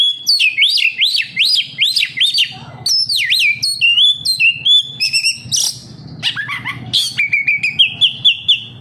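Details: Kacer, an oriental magpie-robin, in lively song used as a lure to make captive birds sing: loud whistled phrases, rapid repeated rising-falling notes in runs, then sharp chips and steady high trills.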